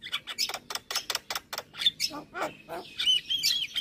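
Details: Javan myna in full song for a songbird training recording: rapid harsh chack notes repeated many times, followed by warbled high whistled phrases.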